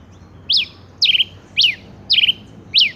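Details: Male rufous-collared sparrow giving five loud, sharp notes, each a quick high whistle rising then slurring steeply down, spaced about half a second apart over a quiet background.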